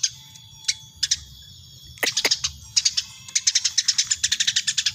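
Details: A very tame Eurasian tree sparrow in lively voice: scattered sharp chirps at first, then an accelerating, steady string of bright, high chirping notes.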